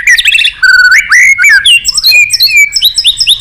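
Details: Energetic white-rumped shama song for bird-singing therapy: dense, continuous, rich whistled phrases with rising and falling slurs, quick stutters and high chirps.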